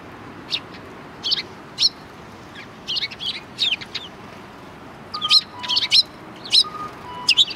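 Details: Welcoming sparrows at the rear of a Tenmangu shrine, 25 February 2020: irregular high chirps growing busier toward the end, with a steady two-note lower whistle repeating in the background.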